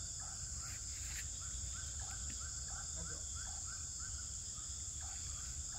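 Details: Swiftlets recorded inside a swiftlet house in Pekanbaru, Indonesia, giving rapid overlapping chirps and clicks, some higher and some lower, amid a continuous high hiss and low-pitched noise.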